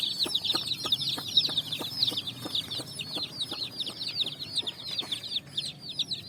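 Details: Colour-dyed chicks hopping and running on sand at evening, searching for food; shrill downslurred peeps pour out in a dense flock chorus, with soft tapping sounds scattered throughout.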